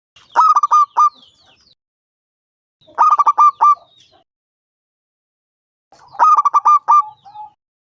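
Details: Local zebra dove of wild stock, five years old, loud and frequent singer, singing to draw other doves into song; three phrases about three seconds apart, each a quick run of staccato coos closing on a longer note.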